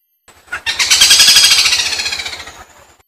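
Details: Chestnut-breasted malkoha (Phaenicophaeus curvirostris) gives one harsh, hissing rattle lasting about two seconds, its rapid pulses slowing and fading at the end, with no other sounds heard.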